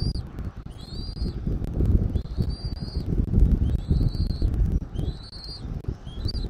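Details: Bald eagle calling at the nest in Southwest Florida, recorded by a nest camera in the early afternoon of 13 January 2024: a series of short, high squeaky whistles, some paired, against a strong low rumble of wind and handling noise.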